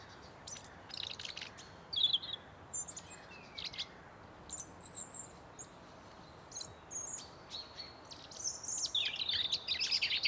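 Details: Several forest birds calling at once: scattered high thin chirps, short whistled notes and brief falling slurs, ending in a busy burst of rapid overlapping twitters, all over a quiet constant hiss of forest ambience.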